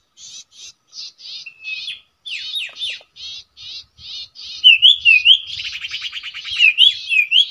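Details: At a usual nesting site, a common iora starts with evenly spaced short buzzy notes. Louder, wavering whistled trills and rapid rasping chatter follow toward the end.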